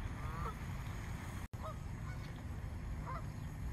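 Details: A frightened flock of more than a hundred swans in a small park gives short, nasal honking calls in bursts near the start, middle and end, over a constant low rumble of background noise.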